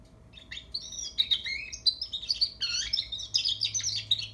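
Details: Juvenile European goldfinch learning to sing, delivering a continuous run of quick, high twittering notes, liquid chirps and brief rising and falling trills, with a low steady hum underneath.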